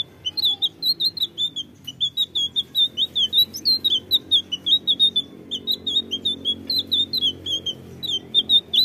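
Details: Blue flycatcher song used as a lure to draw responses from birds: rapid, high chirped and warbled notes run almost without pause in quick bursts, over a soft low hum in the background.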